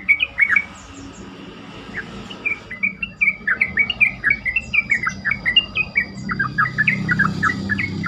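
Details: Yellow-vented bulbul lure song, used to provoke other bulbuls into answering and singing more often: a loud run of short chirped, slurred notes, repeated about twice a second with brief pauses, over a faint low hum and a steady high tone.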